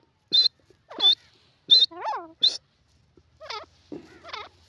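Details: Grey francolin gives several loud, sharp, high shrieks, then a run of wavering, warbled notes that twist downward and rise again, with a quiet background.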